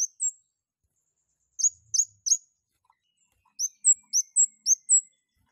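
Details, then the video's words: Long-tailed shrike in strong breeding condition, singing freely: sharp, high, clipped chirps with a downward flick, first in a group of three, then a quick run of six after a pause. Quiet background. "KEMADE GACOR NGLEPER OVER BIRAHI || PANCINGAN KEMADE AGAR BUNYI DAN EMOSI"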